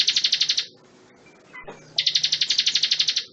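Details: Bar-winged prinia (ciblek gunung), recording used as song material to tutor magpie-robins: two fast bursts of high, buzzy, evenly pulsed notes, about fifteen per second, separated by a short pause.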